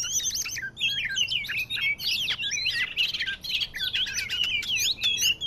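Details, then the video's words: Oriental magpie-robin of the Medan type, a recording used as a trapping lure: a loud, continuous rush of varied whistles, sharp upslurred and downslurred notes and buzzy chatter, packed tightly with almost no pauses. "PIKAT BURUNG KACER MEDAN FIGHTER"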